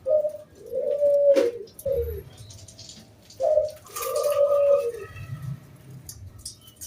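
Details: Cooing of a local wild zebra dove, a lure recording in 'kung bulat' style to set other doves singing: two phrases, each a short clipped note then a longer rolling coo, with faint room noise and a quiet voice.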